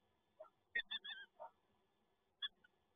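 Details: Peregrine falcon recorded by a monitoring camera at PGE Toruń: a quick run of short, harsh, nasal calls, then a pause and two more clipped notes, all against a very quiet background.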